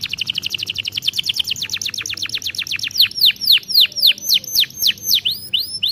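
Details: Canary (Serinus canaria), song.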